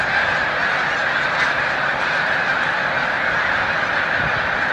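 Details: Snow geese on migration at Montezuma, New York, 7 March 2022, a big flock taking to the air; continuous massed honking calls forming a loud, even chorus.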